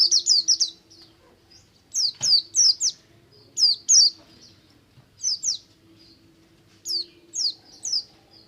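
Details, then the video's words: Buxtomi ngalas song of an oriental white-eye, used to stimulate other white-eyes to sing: clusters of two to four quick, high, falling whistled notes repeated with brief pauses, faint low hum underneath. "BUXTO NGALAS, untuk merangsang pleci ombyokan agar cepat ngriwik"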